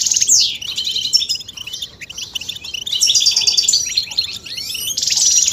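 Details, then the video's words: Male European goldfinch singing when stimulated by mating and readiness calls: fast liquid twitters, rasping buzzy bursts and sharp downward-sliding whistles pour out in quick, varied phrases with brief gaps. "بتبتة فتاكة وفعالة في تحفيز الحسون على التغريد والهيجان والخروج من الستريس"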